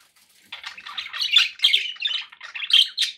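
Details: Pet budgies chattering in a continuous run of scratchy, buzzy chirps and squawky notes after a half-second of quiet, busy warbling that swells and pulses for nearly three seconds.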